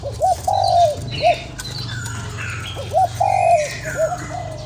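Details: Two spotted dove coo phrases, sounded to stimulate a lure bird. Each goes short hoot, long wavering downslurred coo, then a clipped hoot, about two seconds apart. Steady low hum and soft chirps underneath.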